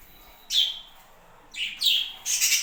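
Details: Caged budgerigars in a home flock give a sharp falling chirp, then a quick pair of chirps, ending in a harsher, broader squawk-like note.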